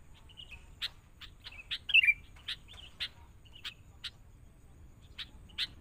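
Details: Young wild-caught sooty-headed bulbul being trained in a cage with a lure bird. Faint, evenly spaced clicks run through, with one short rising-and-falling warbled phrase in the middle.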